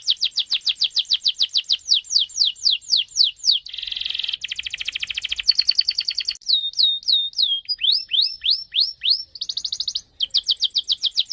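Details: Canary pouring out a long varied song meant to spur other canaries into song: quick repeated slurred notes, a buzzy roll, fast trills, looping whistled phrases and rising notes, changing tour every second or two.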